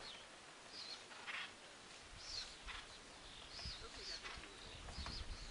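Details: Acorn woodpecker at a granary tree filled with stored acorns. Thin, high, arching calls come spaced out and somewhat irregular, with faint rustling and background hiss.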